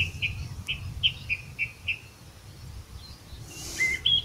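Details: Song thrush recorded in Portugal: a run of six short, clear notes repeated about every quarter second, followed by a pause and a few higher, thinner notes over faint background noise.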